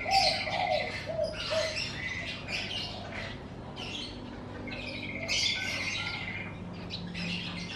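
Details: Birds chirping in front of a house in the morning: several bursts of high twittering with gaps between, and short lower whistled notes early on.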